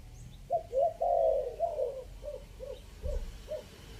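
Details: Lure recording of a spotted dove, Chiang Mai, Thailand, three-kuk style, fifth section: a burst of short hollow coos, a longer drawn-out note, then evenly spaced brief coos trailing off, with faint background noise.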